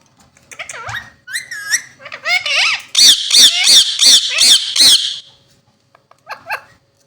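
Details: Pair of Indian ringneck parakeets talking: several quick squeaky whistled syllables, then a rapid run of about seven loud, harsh, evenly spaced screechy notes, ending with a couple of faint squeaks.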